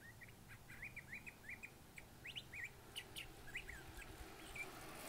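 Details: Curve-billed thrasher giving varied, multifaceted song: a run of short whistled notes around the upper-middle range, some rising and slurred, delivered in quick succession, then scattered sharper chips, over a low steady background hum.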